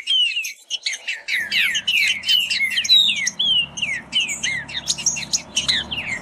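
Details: Green-winged saltator singing a fast competition song: rapid run of whistled, slurred notes, mostly rising and falling sweeps, delivered almost without pause, with a faint low hum underneath.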